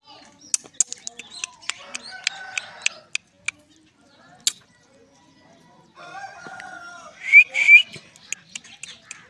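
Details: An angry pet parrot gives sharp clicks and harsh, squawky bursts, then a rough buzzing stretch ending in a few loud rising whistled squeals.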